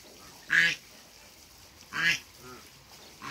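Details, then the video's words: A couple of African geese meeting on a farm. Two loud, brassy honks about one and a half seconds apart, each short and falling at the end, followed by a fainter third call. "TRYING MEETING AFRICAN GEESE COUPLE"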